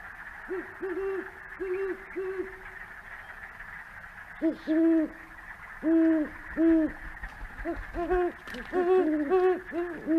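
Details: A pair of Great Horned Owls trade deep, soft hoots in short rhythmic series: the male calls first, then the slightly higher female answers, and they go back and forth.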